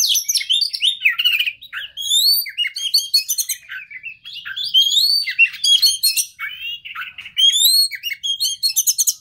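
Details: Oriental magpie-robin song used as a lure for a stressed bird: nonstop varied whistles, upward sweeps, trills and scratchy buzzes in quick succession.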